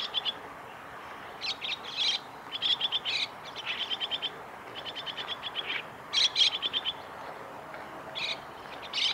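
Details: Chestnut-cheeked starlings recorded 2 July 2017 at the Kitafuji training area in Japan: rapid trains of high, clipped chirps in clustered bursts, some louder squeaky notes standing out, soft outdoor hiss behind.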